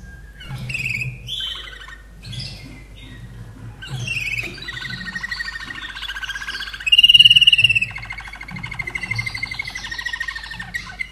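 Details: Caged common nightingale from 2011, kept in Austria, singing a short song: varied whistled phrases, rapid buzzy trills and a loud pulsed burst of repeated notes, over a steady low hum.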